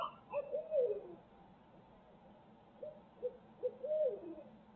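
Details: Barred owl from Midtown Tulsa, live feed audio: a falling, wavering hoot, then a pause and a few clipped hoots leading into another drooping, drawn-out note.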